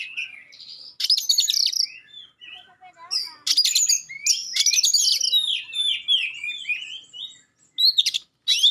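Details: Sharp 'tembakan' and clear singing by a magpie-robin, said to make other magpie-robins answer and get fired up: buzzy high bursts followed by a flowing series of descending whistles, then brief final chips.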